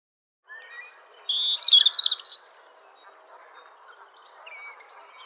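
Robin song in two bursts of high, thin, tinkling notes that jump and warble in pitch, with a brief quiet pause between phrases.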